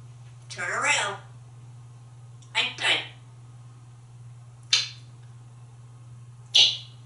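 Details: A pet African grey parrot in an affectionate mood, kissing a towel in a bathroom, makes two short, sharp smacking kiss sounds a couple of seconds apart after a woman speaks.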